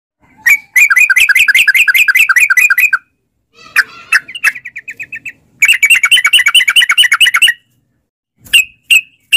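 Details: Sooty-headed bulbul in a lure recording meant to make caged bulbuls sing back, in the long rapid ropel style: bursts of fast, buzzy chattering notes repeated in runs of about two seconds, separated by brief pauses and single sharp chips.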